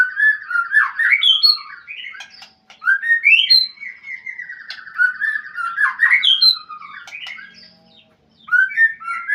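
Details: Kept white-rumped shama calling a rival: long, varied song of rolling trills and sharp upslurred whistles, repeated in lively phrases with a short gap near the end.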